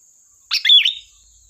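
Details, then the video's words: Sooty-headed bulbul song used as a lure: one short bubbly, warbled phrase of tumbling notes lasting about half a second, over a faint steady high-pitched whine. "Suara burung Kutilang Gacor || tembakan tajam pas untuk pancingan"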